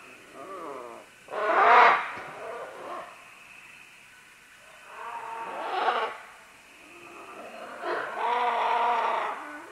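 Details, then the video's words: Harsh screeches from several green-winged macaws working their way down vines. A loud rasping call is followed by softer squawks and a long, quavering nasal call near the end. "Green-Winged Macaw. MCU - MD Calls From Several As They Descend Along Vines To"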